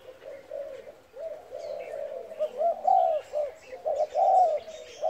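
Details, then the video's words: Spotted dove cooing in the Vietnamese "thúc kèm, thúc gù" style: low, mellow coos repeated in quick pulses, then longer rolling notes, with faint rural background sounds. "Cu gáy thúc kèm , thúc gù"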